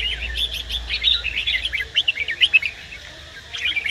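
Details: A red-whiskered bulbul male in song, urged on by a female: busy twittering phrase of tumbling whistled notes peaking in a few loud sharp syllables, a short pause, then the chatter resumes.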